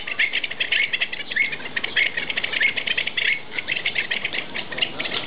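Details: Pied avocet singing in captivity at Ueno Zoo: clear, fluty "kluit" notes about twice a second over dense chatter of short clicking and piping sounds, possibly other birds or wingbeats.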